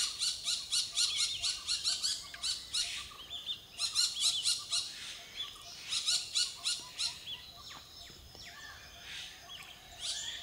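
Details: Malabar (Blue-winged) parakeet (Psittacula columboides) in India gives harsh, high screeches in rapid bursts of four to six notes, repeating every couple of seconds, with other birds chirping faintly behind.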